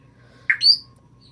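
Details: Pet female African grey parrot asked to imitate a sneeze indoors answers with one short, abrupt, harsh burst sliding up into a high squeaky note, lasting under half a second, in a quiet room.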